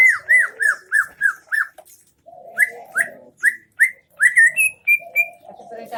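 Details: Song of a greater green leafbird, 'isian MB' style, Aceh Tengah: about six downslurred whistles in steady rhythm, then a pause with a low hoarse note. Another series of clear whistles follows and rises to higher, flatter notes.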